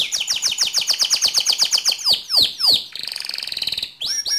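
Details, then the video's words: Lively pure white canary song: an even series of quick repeated notes, then several long downward-sliding whistles, followed by a dense buzzing roll and a final rising note. "Suara Kicau Burung Kenari Putih Bersih Gacor Dor"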